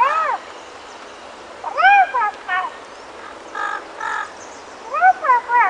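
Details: Panama amazon pair (Amazona ochrocephala panamensis), wild in Panama, responding to someone calling them: a series of loud rasping, arched squawks and clipped nasal notes in irregular bursts, several calls within a few seconds.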